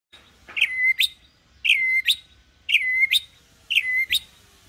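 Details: White-rumped shama song used as a lure so young birds start singing like adults, sung in a calm, non-aggressive mood: a repeated whistled phrase, a bright downslurred note then a sharp upward flick, four times about once a second.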